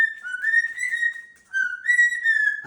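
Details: Indoor pet cockatoo screaming during a warm-air blow-dry: two sustained whistled screams at a fairly steady pitch, each wavering slightly, with a short dip in between and a brief sound at the end.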